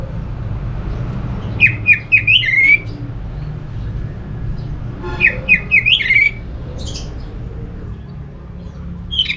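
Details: Orange-headed thrush song meant to coax other thrushes into singing: two rapid warbling phrases of zigzagging notes, about four seconds apart, with a few thin high notes afterwards and a faint background hum.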